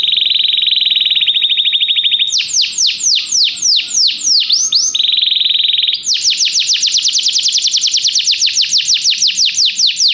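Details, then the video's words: Canary song meant to inspire a canary to sing at once: an even rapid trill, a run of falling whistled sweeps, a brief return to the trill, then a high fast buzzing roll lasting several seconds. "Este canto canário inspira o apetite do seu canário para cantar imediatamente"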